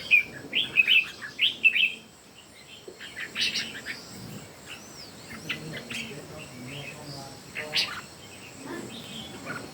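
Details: Three red-whiskered bulbuls in a singing contest; a run of five or six loud, quick warbled notes opens, then softer scattered chirps and a brief rising whistle follow amid background hiss.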